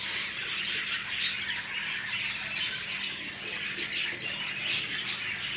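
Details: A budgerigar pair, a split fallow male and a green fallow female, start a new nest; the budgies chatter steadily in a scratchy, high warble broken by sharp squawks.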